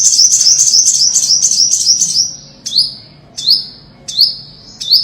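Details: Olive-backed sunbird song, known locally as five-coloured sunbird, offered as a lure for trapping: a rapid, thin, very high twittering trill lasting about two seconds, then four separate sharp downslurred high notes spaced roughly 0.7 seconds apart.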